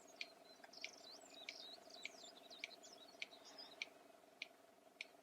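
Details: Red-crested bustard (korhaan) in southern Africa giving sharp, dry clicks made by slamming its beak, about one every 0.6 seconds, used for contact and male courtship, over a twittering songbird and a steady low hum.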